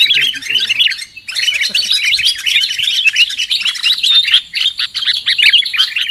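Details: Sooty-headed bulbul trapping lure: busy, overlapping chirps and short warbled whistles running almost nonstop, with a few low murmurs early on.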